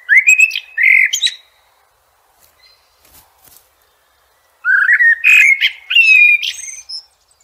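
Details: Blackbird song in nature: a loud mellow warble ending in a shrill twitter, a quiet pause with soft scratchy notes, then a second rich fluting phrase with high squeaks.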